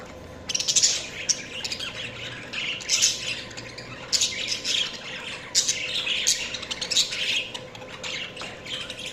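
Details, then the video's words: Budgerigar chirping in repeated loud squawky bursts roughly every one to two seconds, each a dense scratchy warble, separated by softer chatter over low room hum. "Budgies Chirping sounds"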